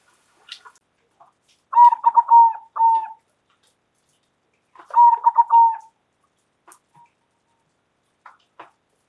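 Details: Local zebra dove calling loudly: two rolling, pulsed coo phrases about three seconds apart, each a quick stutter of notes ending in a longer level tone, with a few faint chirps between.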